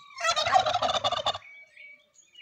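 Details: Native creole domestic turkey (guajolote) in the Mixe region, Mexico, displaying: one rapid, rattling gobble lasting just over a second, followed by faint thin whistles from other birds.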